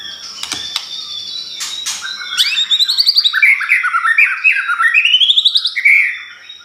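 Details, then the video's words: Pastol song used to provoke white-rumped shama: a few harsh clicks, then a fast rolling series of stepped whistled notes rising and falling for about four seconds. "Pancingan Ampuhh || Pastol Gacorr !!"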